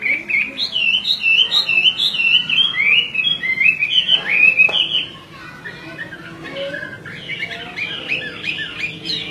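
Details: Female Chinese hwamei calling without pause to rouse a restless male into song; a quick string of short, bright, looping whistles for about five seconds, then quieter scattered chirps after a sharp click.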